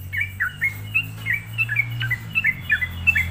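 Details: Lure song of a sooty-headed bulbul, meant to agitate other bulbuls; quick chirpy whistled phrases of falling and rising notes, fairly quiet, over a constant low background hum.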